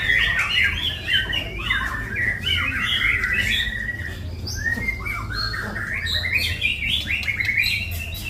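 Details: Murai batu, the white-rumped shama, heard on a full-isian training master: a continuous stream of quick varied whistles, slurred chirps and trills, rising and falling, over a steady low electrical hum.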